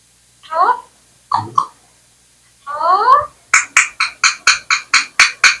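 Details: Talking Indian parrot gives rising, harmonic speech-like sounds, then a fast run of about ten sharp clicks, roughly four per second, indoors with no other noise.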